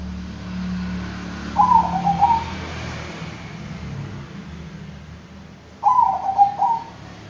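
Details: Two short, mellow cooing phrases from a Bangkok-type zebra dove about four seconds apart, each a rolling double coo, set against a noisy low hum.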